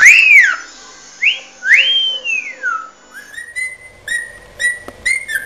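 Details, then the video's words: A cockatiel gives its natural species song: three long, arching whistles that rise and fall, then a run of shorter, flatter whistled notes about every half second. "Calopsita canto da especie ORIGINAL"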